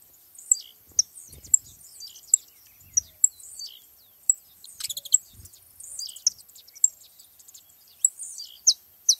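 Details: Saffron finches gathered at a feeding spot: scattered high, sharp chirps and short tweets from several birds, irregularly spaced across the clip, with a brief burst of rapid clicking notes near the middle and faint low rustling.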